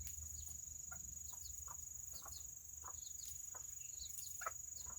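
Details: Serama chickens, a tiny breed, on a rainy Saturday: short clucking notes repeat roughly every half second with scattered high chirps over a steady high-pitched whine and soft rain-like background noise.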